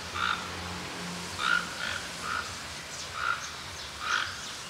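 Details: Wild toco toucan, known in Brazil as tucanuçu, at Tupi Paulista, São Paulo: hoarse, frog-like croaks delivered singly about every second, five in under five seconds, over a steady low hum and background hiss.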